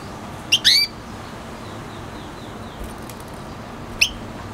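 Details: Red hooded siskin × canary F1 hybrid singing: a quick chirp followed by a rising, harsh whistled slur, faint high ticks, and a short chirp a few seconds later.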